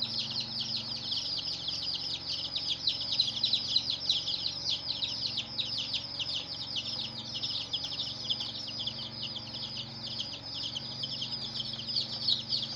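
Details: A brood of baby chickens cheeping nonstop, many thin high descending chirps crowding together into a steady bright chatter over a soft background hum.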